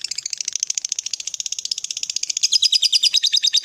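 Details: High, fast lovebird chatter used to stimulate a silent lovebird, a rapid rattling trill of chirps about three per second-fraction, growing louder and shriller toward the end.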